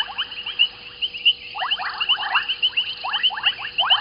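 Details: White-faced whistling ducks at a South African waterhole on Djuma Game Reserve at evening; bright high whistles repeated rapidly over bursts of rising lower whistles from several birds, steady hum in the background.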